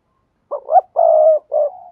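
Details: Spotted dove coo used to get other doves calling: a single phrase of two quick rising notes, a long steady low coo and a short trailing coo.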